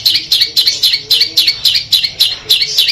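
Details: Madura long-tailed shrike delivering 'armageddon' song material: a fast, steady series of harsh, high chattering notes repeated about four times per second, loud and unbroken.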